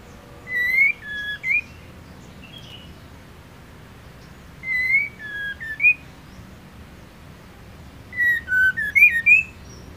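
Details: Female white-rumped shama singing to stir up a male. Three short bursts of whistled notes come about every four seconds, each a few sliding, rising and falling whistles with faint high ticks. The background is otherwise quiet.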